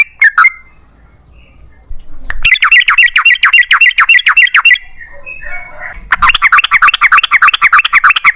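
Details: Yellow-vented bulbul singing constantly, meant as a lure for other bulbuls; a brief phrase, then fast wavering chattered notes repeated about three times a second, a short break with softer sounds, then more rapid wavy chatter.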